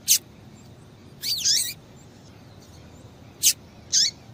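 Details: Female double-collared seedeater call used to stir males into singing: scattered sharp high chirps, one longer slurred note sweeping downward, then two quick chirps near the end, against a soft steady background.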